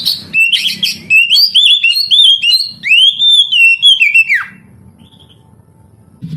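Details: Oriental magpie-robin song played to stir young canaries into singing: loud, varied whistled phrases for about four seconds, rising and falling notes with a long arched whistle, then near silence with faint low murmur.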